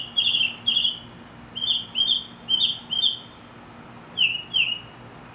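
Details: Mexican mockingbird delivering paired whistled notes, each pair repeated before switching to a new pattern. The phrases are clear and high against a quiet background.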